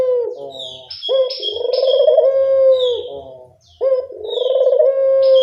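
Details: Lure recording of a Barbary dove used to draw in birds: two deep, vibrating coos, each rising briefly then held steady and fading. Thin, high whistled notes from another small bird sound above them.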